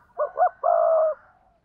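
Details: Double-voice cooing by a spotted dove kept as a lure in Đồng Nai, Vietnam. Two quick hollow notes lead into a long, steady, slightly buzzy coo that fades out.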